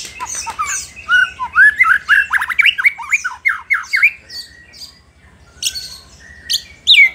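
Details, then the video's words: White-rumped shama singing to provoke rival shamas: a dense run of rapid, loud slurred whistles, then sparser high notes and buzzy bursts. "murai batu gacor pancing emosi lawan"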